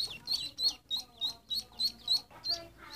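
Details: Ducklings chirping: rapid, loud high peeps repeated about three times a second, each a short sharp note, with softer lower murmurs between.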